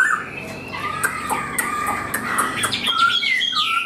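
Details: Tame caged Chinese hwamei singing while carried on the hand, giving varied short whistles and sharp clicking notes. The phrases are mixed with tapping sounds and ends with a few clear slurred whistles.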